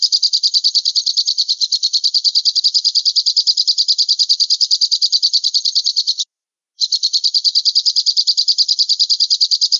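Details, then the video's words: Falcon call, known locally as alap-alap, played to train songbirds: a long, even, high-pitched chattering series of quick notes, interrupted by one short gap, then resuming at the same pace. "SUARA MASTERAN BURUNG ALAP-ALAP"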